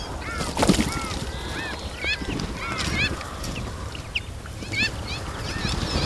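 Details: A group of Iberian magpies bathing in a fountain give short rising, whistled and chirping calls that overlap quickly, over steady splashing water.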